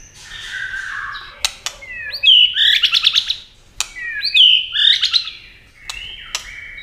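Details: A white-rumped shama in fast competition singing, flashing wings and playing its tail: high, bright notes and buzzy trilled bursts repeat in two similar phrases, separated by sharp clicks and short pauses.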